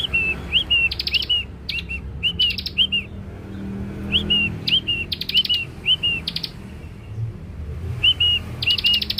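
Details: Young Scarlet-headed flowerpecker lure song: repeated clusters of two or three thin, upward-flicked high notes, each cluster paired with a short buzzy rattle, recurring every second or two.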